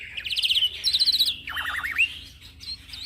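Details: Young black-winged myna in rolling song, used as a master for training birds, giving fast warbling trills of high quavering whistles, then a lower wavering whistled phrase and a few faint upslurs.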